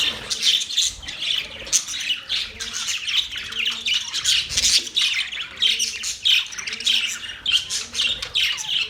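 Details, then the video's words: Budgerigar chirping, with pulses of harsh squawks and twittering chirps from several birds and soft low rising tones repeating in the background. "Budgies chirping sounds"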